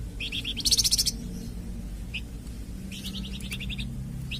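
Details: Flamboyan bird song used for training and prompting captive songbirds: a few high chirps, then a rapid, loud, buzzing trill lasting under a second, followed after a pause by another stuttered series of high chips.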